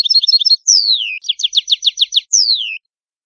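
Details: Italian goldfinch song with a clear falling whistle, a fast buzzy trill of repeated notes, and a second long descending whistle, after a brief twitter at the start; no background noise.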